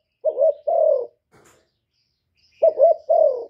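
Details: Spotted dove used as a decoy, cooing to challenge a wild rival: two low phrases, each a quick wavering note followed by a drawn-out slightly falling coo, separated by a pause of about two seconds.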